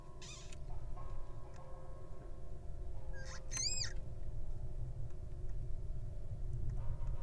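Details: Wild little owl at its nest as a chick hatches from the egg: two high, mewing calls arching up and down with bright overtones, one brief and one longer, over a steady low rumble.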